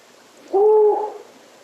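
A single low, steady hoot from a Long-eared Owl, level in pitch and lasting just over half a second, with a quiet background.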